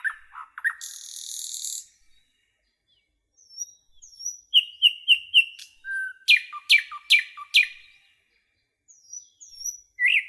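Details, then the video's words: Nightingale phrases in a forest: short chirps and a harsh buzzy burst, a pause with faint thin whistles, then a string of repeated notes and loud strident strokes. "Rouxinol cantando - Canto do pássaro rouxinol na floresta"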